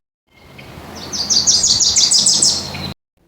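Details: Wilson's Warbler, a West Coast warbler that forages actively in low bushes and saplings, gives its strong, sharp song: a quick chattering trill of about a dozen high, slurred notes over under two seconds, dropping slightly in pitch for the final notes; faint background hiss.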